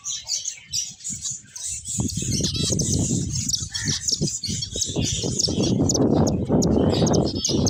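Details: High finch chirps and twitters carry on above a strong, steady low rumble and fluttering noise that dominates the second half.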